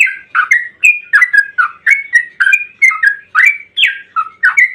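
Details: Yellow-vented bulbul (trucukan) sings a long 'ropel panjang' song, used as a lure to make other bulbuls answer. Bubbly, liquid whistled notes follow in a rapid, unbroken chain, rising and falling.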